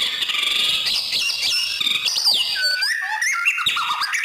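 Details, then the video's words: White-rumped shama song used as a master recording to tutor other songbirds: loud, rich, fast-changing whistles with sweeping upward and downward slurs, short trills and sharp chirps, delivered continuously without pause over a quiet, clean background. "masterin murai, biar gacor boss...."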